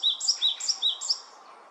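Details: A male great tit keeps watch and encourages the female incubating eggs, giving bright two-note phrases, a lower note then a higher one, three times in quick succession, with faint background hiss.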